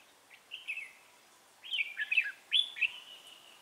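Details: Red-whiskered bulbul decoy singing fighting song at a trap site on 3 November 2018, giving several tumbling, liquid whistled phrases in quick succession, the last ending in a drawn-out note.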